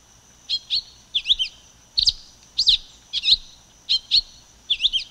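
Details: Silver-beaked tanager singing in brief clipped chirps, some doubled or slurred downward, given in irregular bursts about once or twice a second over a constant thin high background hiss.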